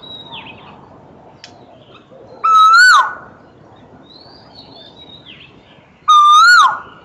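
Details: An Asian koel (Eudynamys scolopaceus) sings two ringing whistled notes roughly three and a half seconds apart, each rising slightly then falling off sharply, with soft, high calls of other birds in the background.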